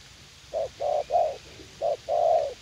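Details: Garden decoy trapping at U Minh with a young, combative spotted dove: a quick string of three soft coos, a break, then a short coo and a long drawn one.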